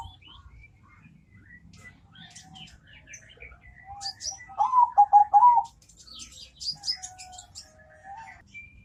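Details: Deep, sweet song of a zebra dove: one burst of rapid, bubbling coo notes midway, set among scattered high chirps and twitters from other birds, with a quieter coo fragment afterwards.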